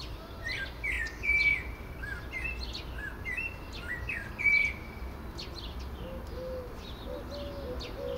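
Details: Common blackbird singing from a Lawson cypress while a dove perches and listens, giving short, mellow whistled phrases with twittering ends, several in eight seconds, over a low rumble with faint low cooing.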